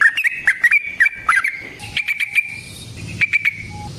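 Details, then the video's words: Yellow-vented bulbul in a long fighting song meant as a lure: choppy, gurgling phrases of clear whistled notes, then a softer rolling stretch with a faint steady tone behind. "Burung TRUCUKAN GACOR Ropel Panjang Cocok untuk PANCINGAN Trucuk bahan dan MASTERAN Burung Trucukan"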